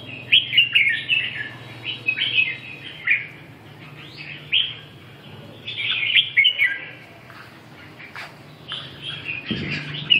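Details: Red-whiskered bulbul delivering a run of rapid, rolling whistled notes, then several more warbling phrases with brief pauses, against a faint low hum and a soft thump near the end.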